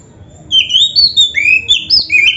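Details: Oriental magpie-robin, black-breasted form, in a training recording of rich mimicked song: a quiet start, then loud clear whistled phrases that slide up and down, some long and level, others short and sweeping.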